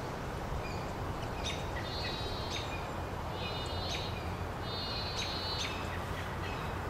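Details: Pygmy Nuthatch on a Monterey pine in Del Monte Forest, California, gives shrill, staccato piping call notes in quick bursts, some run into rapid trills, over steady low wind or background rumble.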